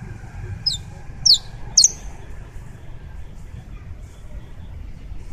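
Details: Colombian saffron finch giving three shrill, downward-sliding chirps in quick succession early on, followed by several seconds of only low background hum.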